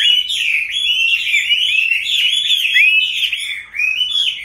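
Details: Wild-caught Chinese hwamei kept captive for five years sings bright, ringing whistled phrases, looping up and down in pitch, delivered in a fast continuous run with a brief pause near the end.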